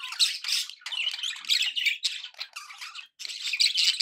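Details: Budgerigars kept as pets in a happy mood, giving rapid harsh chirps and raspy squawks in quick succession, with a brief gap near the three-second mark.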